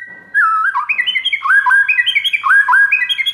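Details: White-rumped shama master song used to make other shamas answer: continuous rich whistling, fast repeated phrases that dip and rise in a rolling pattern, loud and clear throughout.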